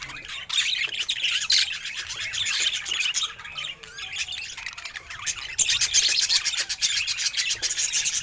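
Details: Pet budgerigar, described as happy, producing nonstop squawky chatter of quick, grating chirps, dipping briefly in the middle and then swelling again.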